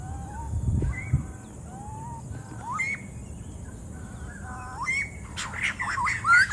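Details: White-crested laughingthrushes (Garrulax leucolophus) give a jumble of rising whistled notes and harsh chattering that builds into a louder, overlapping chorus, with low rumbling background noise.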